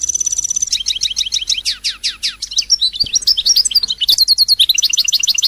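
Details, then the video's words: European goldfinch song played to stimulate singing: fast, varied twittering with rapid descending slurred notes, buzzy trills and high tinkling phrases, delivered almost continuously without pause. "تغريد الحسون الملكي 🔥🔥🔥🔥 لتهييج"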